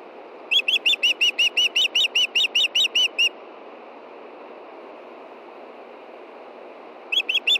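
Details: Female osprey, Montana nest, June night just before dark, calling for her mate to bring fish: a burst of about fifteen quick high whistles lasting three seconds, several seconds of quiet hiss, then a new series begins.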